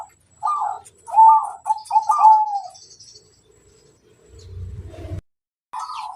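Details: Zebra dove of local stock singing to draw responses from other doves: a run of quick, warbling trilled coos, then a pause with a soft low rumble and a final phrase.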